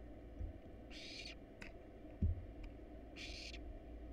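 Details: Barn owl nestlings, wild, hungry in a camera-watched nest box at feeding: two harsh hissing bursts about two seconds apart, with a faint click and a soft thump between them.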